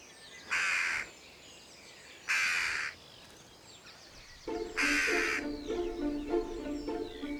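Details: Jackdaw alarm calls broadcast at a site to mark a masked person as dangerous; three harsh, grating bursts spaced about two seconds apart, the last overlapped by swelling tonal music.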